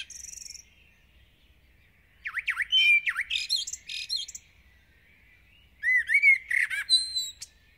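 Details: Intense dawn singing from a Common blackbird in a village: a high chattery tail-end opens the recording, then two full verses of rich fluted notes follow, each ending in a squeaky, high-pitched warble.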